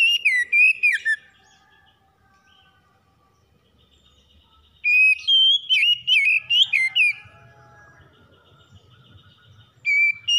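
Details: Morning song from a stressed magpie-robin, three bouts of rapid varied whistles with upward and downward slurs, separated by silent stretches, the middle bout longest and busiest; faint low rumbling between phrases.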